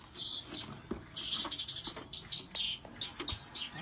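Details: Caged calandra lark kept as breeding stock, singing vigorously: quick bursts of high, scratchy chirps and short trills with brief pauses, over a background of faint rustling and low thumps.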